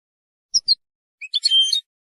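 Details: European goldfinch singing to defend territory and court females: two sharp high chirps, then a dense, buzzy twittering phrase with a sustained tonal note, in a clean, quiet setting.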